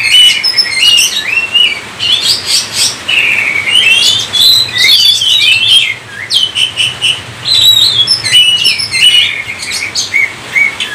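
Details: Oriental magpie-robin in vigorous gacor song used as a lure for other kacer: clear whistles and twisting slurs in quick bursts, a brief lull near six seconds, then more bright phrases, with a low background hum.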